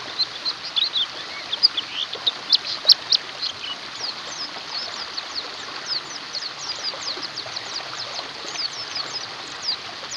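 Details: Oriental white-eyes, used as therapy for a white-eye that has stopped singing: a dense, busy chorus of thin, high chirps and quick downslurred notes overlapping throughout, with louder bright twitters early on.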